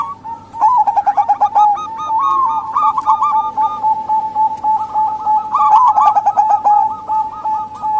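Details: Lure recording of a female local zebra dove to draw males or wild birds: fast rhythmic cooing with rolling, bubbly phrases carried almost continuously, a few louder clicks overlaid.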